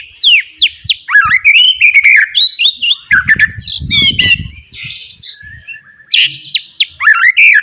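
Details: Forest white-rumped shama giving loud song meant to provoke rivals, a fast mix of sharp downslurred whistles, harsh chattering and squawky notes, with some low rumbling noise in the middle.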